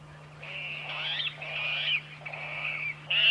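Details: Water rail calling with drawn-out, grating squeals, each lasting about half a second to a second and separated by short gaps, with a final sharp squeal at the end. A constant low hum sits in the background.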